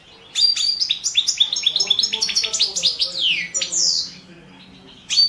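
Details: Competition song of a Balkan European goldfinch, Carduelis carduelis balcanica, recorded for the 2017 world championship: rapid liquid twittering phrase of high chirps ending in long descending slurred notes, then a fresh burst starting.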